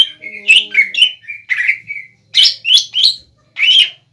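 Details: Caged greater green leafbird singing to provoke a rival bird: a lively string of slurred, buzzy whistles and warbled notes in quick succession, then a few louder separate rising whistles, with a faint low hum.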